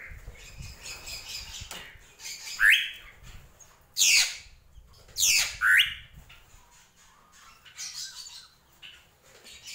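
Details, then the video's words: Drongo (srigunting krantil), gentolang song: harsh, sweeping scratchy notes in short bursts, a few loud downward-swooping rasps in the middle, and fainter chatter before and after. "SRIGUNTING KRANTIL | GENTOLANG"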